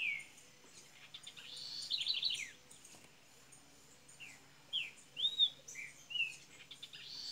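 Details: Double-collared seedeater from Minas Gerais, Brazil, beginning to sing at low volume: scattered whistled slurs and short rising-falling notes over a steady background hum.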